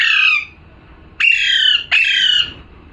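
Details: Parrot squawking: one harsh cry fades out, then after a short silence two more loud, rasping squawks follow close together.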